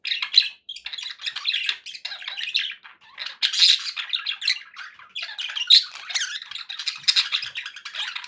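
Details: Happy budgerigars kept as pets, chattering nonstop with dense scratchy warbles, squawks and short chirps, several birds overlapping in a small indoor space, with brief pauses around three and five seconds.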